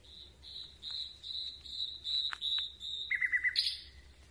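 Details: Night song of a Common Nightingale, recorded at close range: a steady series of identical high piping notes, repeated about three times a second, ending in a lower, rapid buzzy trill and a rising flourish.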